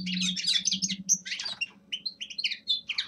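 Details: Young male common linnet singing a winter practice song: rapid twittering phrases of bright chirps and short whistled notes, with a steady low hum underneath.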